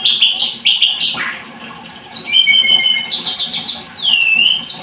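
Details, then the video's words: Blood-breasted flowerpecker (tledekan gunung) giving loud high chips, then a rapid chatter of steady thin notes and a dipping whistled slur. "Kicau Tledekan Gunung"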